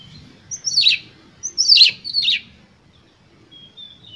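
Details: Oriental magpie-robin singing with full emotion, used as a lure to provoke other birds: three loud, harsh, descending buzzy bursts that begin with a high whistle, then a short thin whistle near the end.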